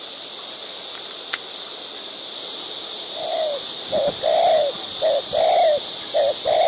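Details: White-breasted waterhen in the wild, during the season when pairs feed their chicks; mellow, slightly falling short notes begin after three seconds and repeat about once a second over a loud, steady, insect-like hiss.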